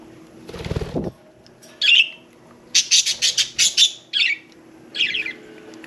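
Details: Pet budgerigars, one taking a bath, giving a rapid run of harsh scratchy chirps, about seven quick notes in a row, framed by single squawky calls and a brief splash-like rustle near the start.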